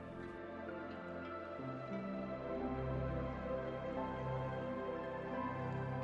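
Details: Soft ambient instrumental music plays throughout with sustained tones and no animal sounds.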